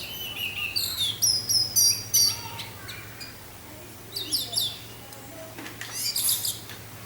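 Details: Orange-headed thrush singing over a steady low wind rush. The song is a rapid jumble of high, sharp whistles, chirps and trills in short bursts, some notes sweeping down, with brief gaps between phrases.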